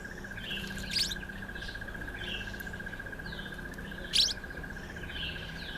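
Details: Streaky-headed seedeater, or streaky-headed canary, eating sunflower seeds: two loud, sharp high chirps about three seconds apart stand above scattered softer twitters, with a continuous even insect trill throughout.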